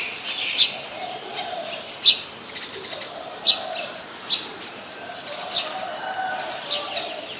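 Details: Brown-throated sunbird recorded in Ubon Ratchathani, Thailand, on 13 January 2021 with a Nikon P1000. Sharp high chips open the sequence, then fade to softer, sparser ones amid quiet ambient noise.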